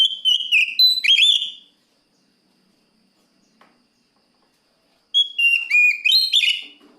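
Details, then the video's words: Oriental magpie-robin singing to call a rival, two loud whistled phrases a few seconds apart, each made of sliding, curving notes ending in a twisting buzzy flourish, with silence between. "suara burung Kacer gacor plong memangil lawan"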